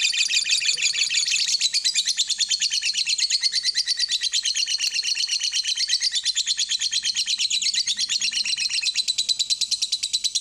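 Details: Lovebird delivers a long, unbroken ngekek panjang chatter used as a lure to set other birds singing. The rapid, high, scratchy notes repeat about three times per second for the whole stretch, loud and dense, with no other clear sounds.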